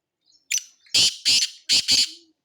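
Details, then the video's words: Black francolin (kala teetar) gives a loud, harsh grating call of four rasping bursts in two quick pairs over about a second and a half, preceded by a short squeaky note. "kala Teetar Ki Awaz Black Francolin Voice Sindhi Teetar Ki boliyan"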